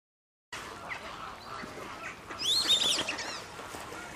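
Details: Australian wood duck at WWT Slimbridge gives a single nasal, rising then falling call lasting about half a second. Other waterfowl call softly in the background, with a steady hiss of ambient noise.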